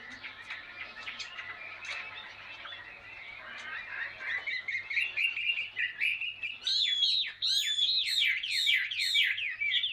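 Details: Caged Chinese hwamei, a wild-caught bird kept two years in a cage, sings a rich varied phrase of warbled notes building into loud repeated swooping whistles, with a faint low hum behind.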